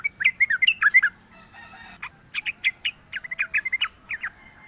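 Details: Fighting wild sooty-headed bulbul, used to lure: a tumble of bubbly, up-and-down notes, a short gap, then a steady string of a dozen quick chirps at similar pitch.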